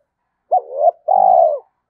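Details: Spotted dove uttering one coo phrase to excite wild doves: a clipped rising note sliding into a short tone, then a long, even, hollow coo over a faint low hum.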